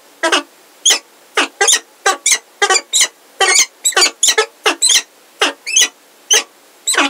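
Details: Close peregrine falcon calling at Heidelberg on 17 February 2023, with a new unringed female present: a series of sharp, grating, squeaky notes, some paired, repeated irregularly with brief gaps.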